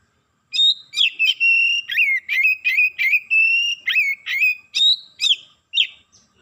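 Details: Oriental magpie-robin, worked up within seconds and unloading its repertoire: a rapid string of loud, clear whistled notes, mostly steady mid-high tones with sharp upward flicks, about two per second.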